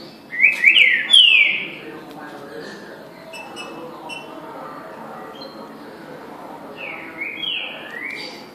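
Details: Song of a green-winged saltator: an opening burst of bright slurred whistles near the start, a long quiet stretch with faint background noise, then a softer repeat of the whistled phrase near the end.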